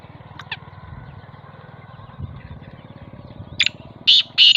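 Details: Two young male black francolins in their first season, calling in competition; a loud, harsh, grating call of short buzzy bursts near the end, after faint scratchy notes, over steady low rumbling background noise.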